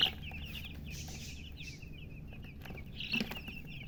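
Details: Newly hatched chicken chicks, just born, chirping loudly: a dense run of short, high, sliding peeps repeated several times a second, with a steady low rumble underneath.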